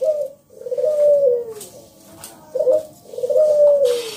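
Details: Local wild zebra dove in full loud song, used as a lure to get other doves singing: two cooing phrases, each a short throaty note followed by a long rolling, slightly falling coo, with a pause between phrases.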